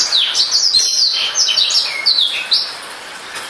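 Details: Continuous rapid twittering song from a newly acquired captive black-throated canary: bright, high, descending whistles and slurred chirps packed closely together, tapering off near the end.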